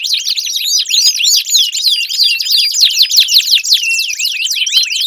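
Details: Canary singing to prompt a quiet canary to sing: fast, tumbling high-pitched trills mixed with looping upward and downward slurred whistles, packed tightly with no pauses.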